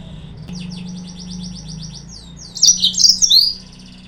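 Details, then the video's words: Yellow-fronted canary singing as a lure to provoke rivals: a steady series of quick descending high notes repeated several times a second, ending in a loud, tangled burst of sharp whistled chirps, with faint low hum. "PANCINGAN/MASTERAN BURUNG MOZAMBIK"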